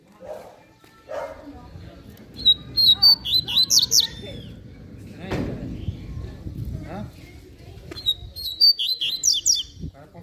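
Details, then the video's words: Double-collared seedeater delivering "canto fibra" song: two loud phrases of quick, high, sliding whistles and trills about six seconds apart, with murmuring voices and background clatter between them. "Coleiro Canto Fibra!!! Cantão Show!!!"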